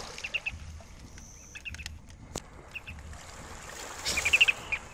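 A ruddy turnstone gives a few faint high notes, then a quick burst of sharp, staccato chattering near the end, over steady background hiss and a single click.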